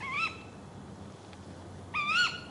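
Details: Tawny owl in the UK in late October 2013: two sharp, shrill 'ke-wick' calls, each rising then dropping, nearly two seconds apart, over a quiet background hiss.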